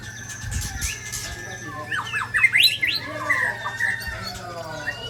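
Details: Balak Sabang white-rumped shama under attack from Ujong Pancu and Tangse shamas in Aceh; quieter start, then a burst of sharp rising and falling whistles and harsh notes midway, fading into softer phrases.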